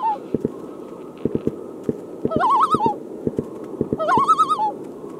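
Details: On a hot summer evening, an adult common loon near a canoe 500 feet from shore gives two quick, wavering, laughing tremolo calls about two seconds apart, apparently upset by fireworks heard as irregular sharp taps.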